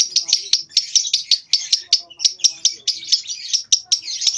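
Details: A lovebird of about two months, nyeklek style, practising short ngekek phrases; dense, scratchy high twittering with closely packed clicky notes running steadily throughout, faint low murmurs underneath.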